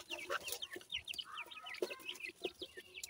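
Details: Punjab grey francolin chicks, a breeding brood in Pakistan, peep constantly: high, slurred chirps dropping in pitch, many birds overlapping, plus a short lower whistled note and soft tapping sounds.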